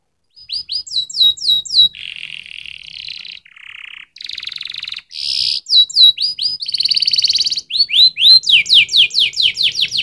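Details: Canary song that alternates clipped whistled phrases with buzzy, rolling trills at shifting pitches, finishing in a long series of quick rising whistled notes.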